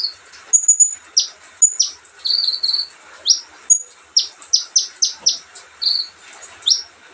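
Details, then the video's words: Leisurely olive-backed sunbird song of very high tinkling whistles followed by a rapid series of five or six sharp down-sweeping notes and short buzzy trills. "kicauan santai Kolibri ninja"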